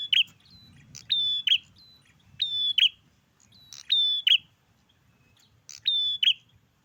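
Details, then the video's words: Garden-recorded bar-winged prinia repeating the same phrase five times, roughly every 1.4 seconds: an abrupt click, a steady high whistle and a rasping buzz, over faint low background noise. "Tes mental kebun prenjak gacor"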